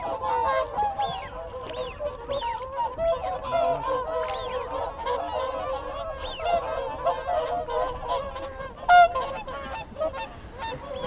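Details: Contact calls from a gathered group of whooper swans heard up close, many birds honking together in a steady murmuring chorus, punctuated by sharp whistled upsweeps from wigeon, Canada geese also calling behind.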